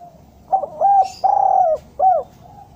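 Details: Spotted dove, untrained 'bahan' bird, cooing to tempt decoy doves down: a clear phrase of hoarse coos, short, medium, a long falling note, then a final short coo, with a faint hiss midway.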